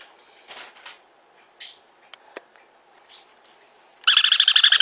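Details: Hand-reared sun conure chick at a Fukuoka pet shop: scattered short high squeaks and clicks, then a rapid pulsed burst of about a dozen harsh notes near the end.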